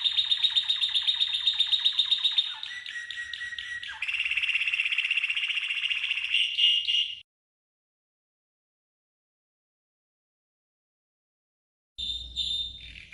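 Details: Red canary singing a training song in clear stepped sections of fast, even trills at changing pitches, then about five seconds of silence before the song resumes with another high trill.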